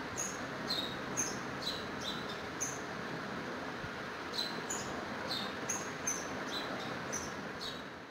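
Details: House sparrow at a window giving short, high chirps about twice a second in two bursts with a pause between, over a steady rushing background noise.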